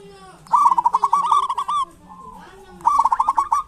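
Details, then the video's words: Local zebra dove in lively song, used as a lure for quiet doves: a fast pulsed, purring coo trill held for about a second and a half, a softer sliding note, then a second rapid trill burst. "Pancingan perkutut lokal gacor cocok buat perkutut lokal susah bunyi"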